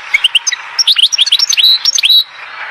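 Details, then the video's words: Goldfinch song recorded at Oued Zhour in Skikda: a quick burst of bright, high tinkling notes and short rising and falling slurs, ending in a sustained buzzy note before fading into faint background hiss. "تغريد حسون واد الزهور سكيكدة"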